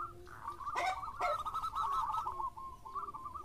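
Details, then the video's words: Local zebra dove in full song: a blurred, tumbling stream of cooing notes with overlapping bursts and a few sharp clicks, easing into separated notes at the end. "JAWARANYA PANCINGAN !! ( Perkutut Lokal Gacor )"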